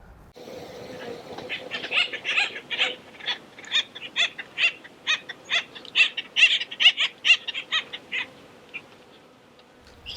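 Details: Acorn Woodpecker giving a rapid series of harsh, nasal 'wakka' notes, about two per second, over a steady low hum; this call tells the rest of its flock where it is.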